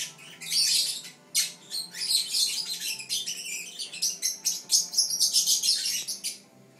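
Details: Fischer's lovebird, one of several siblings, chirping energetically in captivity: dense bursts of harsh, high chirps and squeaky twitters repeated rapidly over several seconds, with brief pauses between runs and a faint steady hum beneath.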